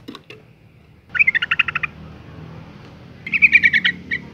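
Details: Female yellow-vented bulbul giving a call to rouse males into singing. A few faint notes, then two lively chattering runs of quick, evenly pulsed notes, roughly two seconds apart.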